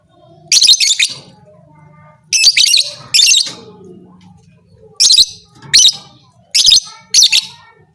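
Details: Lovebird call said to stimulate other lovebirds into fighting: shrill, high-pitched chattering bursts, each about half a second long, come in three pairs and a final group, with quiet gaps and a faint low hum between them.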